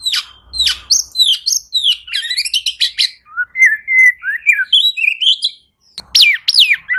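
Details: Oriental magpie-robin singing to coax silent birds of its kind. A dense medley of high chips and trills gives way to mellow mid-pitched warbled whistles, then sharp downward sweeps after a short pause.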